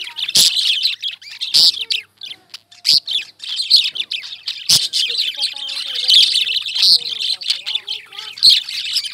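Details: Indian lovebirds keep up shrill, overlapping twitters and squeaks, with a few sharp taps. Faint gliding tones, perhaps music, sound low behind the steady birds.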